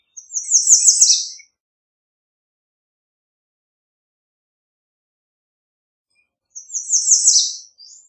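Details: An American redstart sings two songs about five seconds apart, each a brisk string of high thin notes ending in a lower, downslurred accent, with a brief extra note at the very end.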